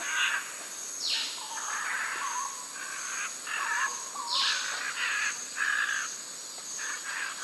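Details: Scarlet macaws in a group feeding on nuts high in Costa Rican forest trees give harsh, rasping screeches, contact calls letting the group know they are there, with a few loud squawks over steady insect hiss and faint forest chatter.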